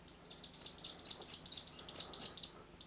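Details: A male captive Harris's hawk, held restrained during handling, twitters in temper rather than distress: a quick run of high, thin chirps, about four a second, over faint background hiss.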